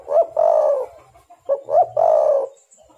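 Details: Spotted dove (tekukur) calling as a lure to make other doves sing: two hollow cooing phrases, each a short upslurred note leading into a longer, throaty drawn-out coo, with a faint low hum beneath.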